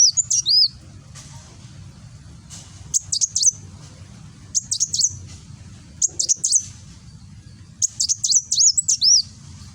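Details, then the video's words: Kolibri Wulung sunbird in Gresik, East Java, singing 'nembak' style, Android phone recording; short volleys of shrill, tinny chips and twisting whistles recur roughly every one to two seconds, low rumble beneath. "Burung Kolibri Wulung nembak"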